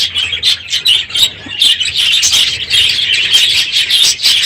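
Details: Many budgerigars in a crowded aviary, noisy in the morning at the end of the breeding season: dense overlapping chirps and squawks centred high, a continuous busy chatter with quick bursts.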